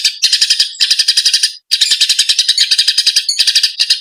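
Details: Fighting Eurasian tree sparrows, used as training material for songbirds, give loud bursts of rapid, scratchy chirps, about ten per second, in runs separated by short pauses.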